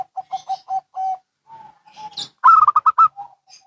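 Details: Local and Bangkok zebra doves: a row of short, evenly spaced low coos, soft drawn-out notes, then a loud, fast bubbling burst of coos answering.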